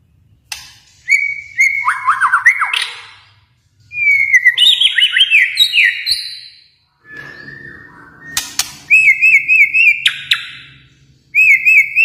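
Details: ['White-rumped shama from Kalimantan singing a rich, varied song of loud whistled phrases. Sliding notes alternate with quick trills and sharp chips, broken by short pauses, over a faint low hum.']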